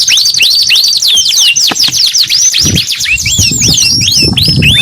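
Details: Canary in full song: fast chains of rising and falling whistled sweeps, tumbling into quicker chattering trills, over a murmur of low background noise.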